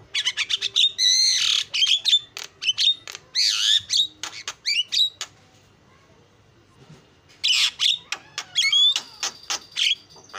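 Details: Javan myna singing: quick series of clicking and rasping notes with whistled slurs, a pause of several seconds, then another burst of harsh chatter and thin whistles.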